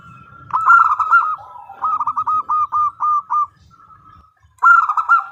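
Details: Female zebra dove, a local Indonesian perkutut, calling to the male: a quick rolling burst of mellow cooing notes, then a run of about six evenly spaced soft coos, ending with another rapid rolling phrase over a low background rumble.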